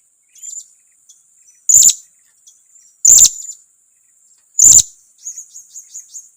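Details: Provoking lure call of a blue-crowned hanging parrot: three loud, harsh, high squeaks about one and a half seconds apart, followed by a soft fading run of thin notes.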